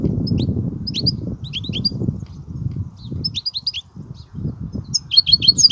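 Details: European goldfinch giving kubiya-style song: clusters of sharp, high descending chirps in quick groups of two to four, with gaps between, ending in a brighter twittering run; low rumble underneath.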